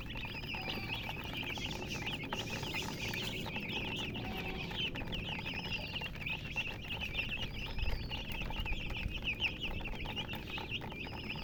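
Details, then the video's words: Chirping from chickens, local name murgi: a steady flurry of sharp high chirps, punctuated about every two seconds by a clearer arched peep, over low indoor noise. "silly chicken chirping sounds with murgi hen color chicken"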